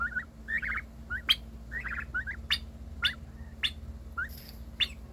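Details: A domestic turkey, one of a pair of turkey siblings, makes a new noise of short, high chirping peeps and quick trills, about every half second to second, when its sibling got more attention; faint steady hum behind.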